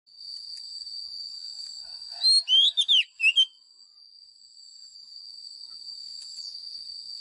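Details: White-rumped shama, a lure bird used to train caged birds to sing, gives one short burst of rapid, varied whistled notes lasting about a second, over a steady thin high whine that runs through the recording.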